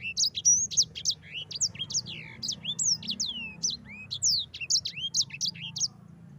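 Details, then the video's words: Rolling ngerol song of a yellow-fronted canary, meant for tutoring other birds: an unbroken stream of bright, high whistles, many sweeping down or curling upward, delivered quickly and evenly over a faint low background hum. "Suara Burung Sanger EDEL SANGER NGEROL Ampuh untuk pancingan sanger cepat ngerol gacor"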